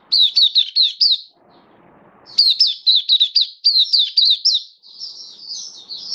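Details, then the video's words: Oriental white-eye (mata puteh), a hobby cage bird in open-singing display, 27 October 2022. Quick strings of high, piercing, down-slurred notes, a short pause with faint rustling, then more chirps and a thin sustained warble. "Mata Puteh Kitaro Buka Sing"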